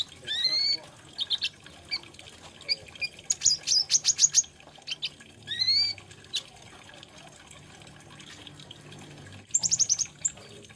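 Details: Olive-backed sunbird, called kolibri ninja, singing: a clear slurred whistle, then a rapid burst of sharp high ticks, a longer quiet gap, and a final fast trill of chips.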